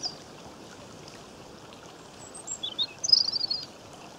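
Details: European robin singing near a stream in Cornwall, Great Britain, in May 2015: after quiet water noise, a burst of high twittering, jumbled notes near the end, with steady stream murmur throughout.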